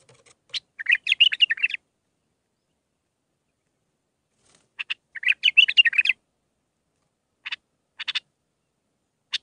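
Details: Bulbul singing a song used to train young birds, in the Mandalawi style with six phrases; two rich warbled phrases of quick chirpy notes about four seconds apart, then scattered single sharp notes, with silence between.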